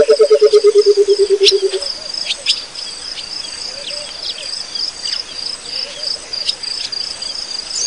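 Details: Burchell's coucal calling at Pete's Pond in Africa: a low, hollow bubbling run of rapid notes that slowly drop in pitch and fade over about two seconds, followed by chirping insects and high buzzing in the background.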